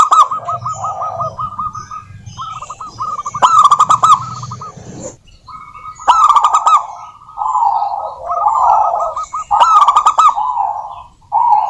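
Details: Local wild-type zebra doves singing steadily, used as a lure to prompt other doves to sing: rows of rolling, curled cooing notes repeated quickly, with louder overlapping bursts from several birds at once and brief pauses between phrases.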